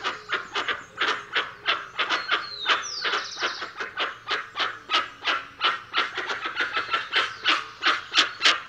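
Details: A dense, fast series of grating honks from a dusky-legged guan, nearly three each second, with a brief falling whistle partway through.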